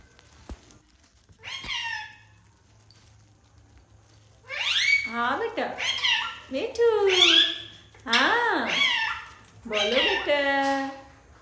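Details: Pet parrot talking while playing; after a short opening note and a pause, a run of voice-like, rising and falling mimicked syllables in four or five bursts, indoors.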